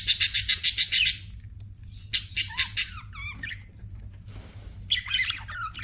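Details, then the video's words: Pet budgerigars chirping: a rapid train of eight evenly spaced pulsed notes, a shorter run of four, then twisting warbled whistles and a soft scratchy chatter. "BUDGIES CHIRPING SOUND"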